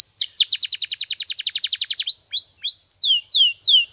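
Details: Morning training song of a canary: a rapid rolling trill lasting about two seconds, followed by well-spaced, falling whistled slurs.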